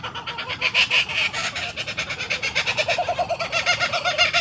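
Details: A laughing kookaburra in the Australian bush, addressed as a boy, gives its raucous, rapidly repeated cackling: a rolling chatter of harsh hoo-hoo-ha-ha notes that surges and keeps pulsing.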